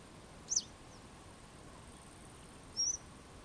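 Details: Two short, high-pitched, slurred calls of a Western yellow wagtail about two seconds apart in otherwise quiet surroundings.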